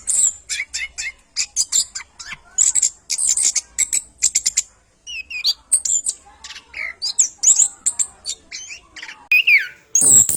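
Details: Orange-headed thrush, a male singing in a varied, fast-paced training song for other birds: dense bursts of high, sharp chirps and trills, rapid buzzy notes, and swooping whistled phrases.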